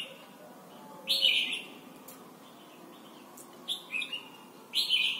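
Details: Red-whiskered bulbul in Thailand singing for young birds to learn: a bright whistled phrase, a pause, then a quick cluster of three whistled notes and a final loud liquid phrase.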